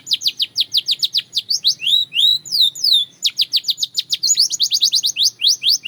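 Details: Continuous Belgian canary singing: rapid repeated falling chips, a few looping rising whistles in the middle, then more quick downward notes, all high and clear.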